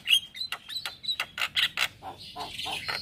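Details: Male Javan myna, recorded in the morning as a lure and tutor for starlings, gives softer scratchy clicks and squeaks, one thin whistle, and ends in a drawn-out hissing rasp.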